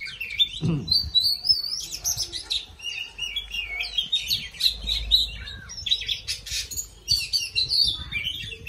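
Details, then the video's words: Singing and dancing oriental magpie-robin pours out a continuous medley of high, sweet whistles, trills and scratchy notes, shifting pitch constantly. "Choè than hót múa"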